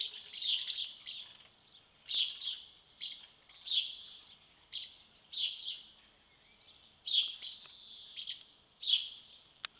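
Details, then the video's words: Hungry swallow nestlings calling during feeding at their nest, a series of sharp high chirping bursts roughly every second, some doubled, with quiet gaps between. "Kleine Vögel haben Hunger"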